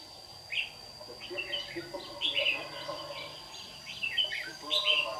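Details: White-cheeked Red-whiskered bulbul, used as a trapping decoy in a morning singing duel in Đồng Nai, Vietnam, 26 June 2019; short bright warbled phrases repeat irregularly over a steady high whine and faint low voices.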